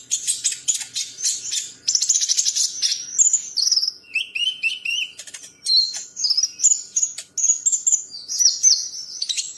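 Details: Champion training song of a bird: dense, shrill twittering and buzzy trills, then a run of four falling whistled notes, followed by varied high slurred phrases, rapid and nonstop in a clean recording.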